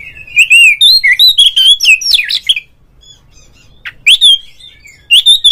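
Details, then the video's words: Rival-lure song of an Oriental magpie-robin for making a kept bird sing with tail spread: loud fluty whistles in a steady run of phrases, a pause, then further clear whistled notes. "mencari LAWAN TARUNG suara pancingan burung Kacer agar CEPAT GACOR FULL buka ekor dongkrak EMOSI"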